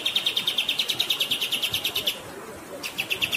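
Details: Grey-headed Canary-flycatcher giving a rolling 'ngerol' song over flowing water: fast, regular, high piping notes about three per second, a brief pause, then the series resumes.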